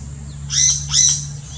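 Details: Yellow-rumped cacique in the Brazilian Amazon: two loud, ringing, harsh notes roughly 0.4 seconds apart.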